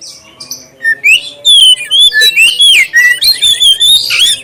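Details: Black-breasted oriental magpie-robin lure song with a clear voice, meant to prompt other magpie-robins to sing: a steady string of loud, pure gliding whistles, each note rising or falling, following one another about every third of a second.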